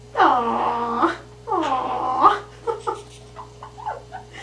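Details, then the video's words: A male pet Quaker (monk) parakeet, talking and singing while shrouded in a person's hair indoors, gives two drawn-out voice-like notes about a second each, then a quick run of short chattering syllables, over a steady indoor hum. "Quaker Parrot Talks and Sings"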